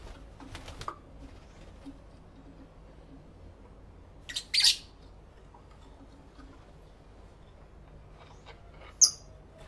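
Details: Newly kept pet lovebirds singing and talking to each other, captured in stereo with a camera and two external microphones: a sharp, shrill double squawk midway, another piercing squawk near the end, faint chirps between, quiet indoor background.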